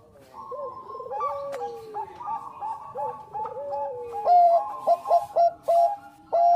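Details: Zebra dove of the Bangkok type in lively song for luring: overlapping descending and trilled coos from several doves build to loud, sharp staccato coos near the end.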